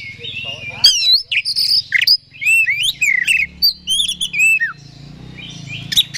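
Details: Oriental magpie-robin (kacer) provoking song: varied whistles, upward slides and chattering notes over a low steady hum, ending in quieter calls.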